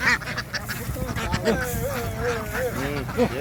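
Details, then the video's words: Ducks boarding a boat in a noisy flock: drawn-out nasal quacks bend up and down in pitch, with short squeaky calls overlapping. People talk nearby throughout. "The ducks ran ashore, making a noise like a swarm of bees as they boarded the ship."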